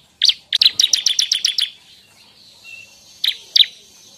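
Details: Bar-winged prinia song for use as a lure and songbird tutor: a rapid series of about ten sharp, high chips, quiet pause, then two lone piercing notes.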